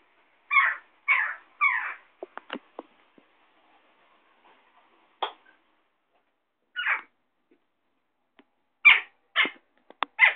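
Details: Western jackdaw (Coloeus monedula) calling from a ledge, giving short, sharp, repeated calls, mostly in bunched runs of two or three, with some fainter clicks between them.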